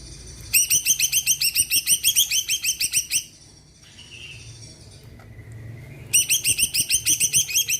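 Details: Greater green leafbird in full, vigorous song, played to get other birds singing and fired up: two bursts of rapid, evenly repeated bright chirps, about three per second, separated by a quiet gap with faint background hum.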